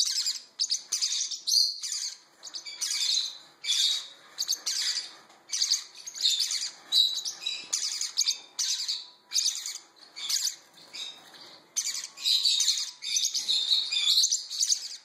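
Parrotlet chicks give a constant stream of harsh, high, raspy squeaks and chirps in short overlapping bursts, with no other sounds heard.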